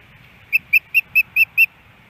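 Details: Ospreys at a nest cam in Hellgate Canyon, Missoula, Montana, early morning fish delivery on April 18, 2018: six short, clear whistled chirps in an even, quick series.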